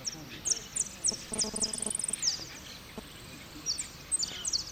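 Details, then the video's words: Saffron finch singing in the repique style at a song contest in Merlo on 03/01/2016, where it took third place: bright, very high, sharp notes in quick descending bursts, then a pause and more clipped phrases, with faint low murmur behind. "Blanco de repíque 3ro en Merlo"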